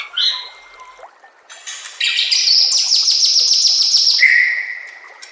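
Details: White-rumped shama master song for training, with nature sounds and trickling water; a whistled note, then a long, fast, even buzzy trill lasting over two seconds, ending on a steady clear whistle.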